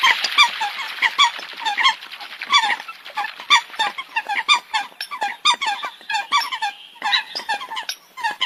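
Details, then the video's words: A crowd of Eurasian coots keeps up a restless chorus of short nasal honks and squeaks, densest at the start, then in uneven pulses. "Tiếng Chim sâm cầm"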